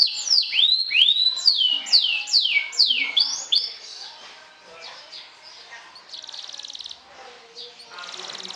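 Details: Sobek canary, champion trilling singer provoking opponents; strong sweeping whistled notes for about three seconds, then softer scattered notes and two fast, even buzzing trills.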